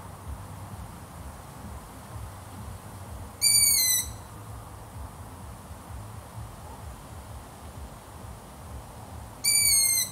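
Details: Two thin, high-pitched squealing notes from a long-eared owl, each dipping slightly in pitch and about six seconds apart, against a quiet low hum.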